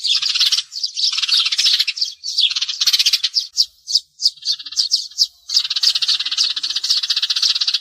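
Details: Sparrows used as a lure for glue traps: dense, overlapping high chirps and twittering from several birds. The chatter runs almost continuously, with brief gaps of separate sharp chips in the middle before the busy chorus resumes.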